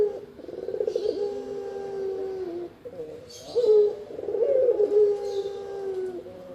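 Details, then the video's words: Spotted dove calls used for luring and training other birds: low purring coo phrases with long level endings, with faint high chirps from other birds in the background. "Burung Tekukur-Derkuku Enak didengan Ampuh Buat Pikat dan Masteran"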